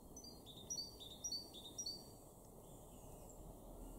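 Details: A great tit in a garden in Weener, East Frisia, northwest Germany, March 2024, repeats a bright two-note 'tea-cher' phrase, high then lower, about twice a second, over a steady low rumble of wind or distant traffic.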